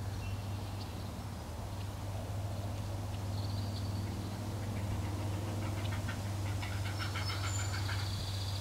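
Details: Young herons close to leaving the nest clamour for food from a parent, a rapid rattling series of short clicking notes building toward the end, set against a constant low droning background and brief high whistled tones.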